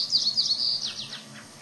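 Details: Mother American robin calling to her nearby fledgling: a rapid run of thin, high, slurred notes that tumble downward and fade in under two seconds.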